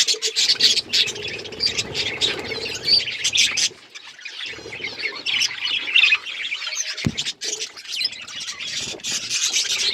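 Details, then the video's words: Colourful budgerigars chirping: continuous busy chatter of squeaky, buzzy and whistled notes from several birds, with a sharp click partway through. "Budgies beautiful colours birds chirping sound"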